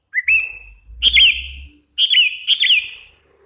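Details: Sooty-headed bulbul, hand-raised, singing a rising whistle followed by two phrases of bright whistles with quick dipping slurs; a low rumbling noise under the first half.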